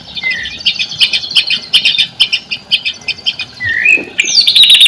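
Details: White-rumped shama lure song for coaxing silent shamas to sing: a run of quick scratchy chattering notes, then clear slurred whistles rising at the end.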